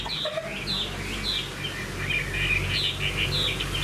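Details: Caged fan-tailed hwamei singing: short bright whistled notes and quick upslurs repeated steadily over a constant low hum of background noise.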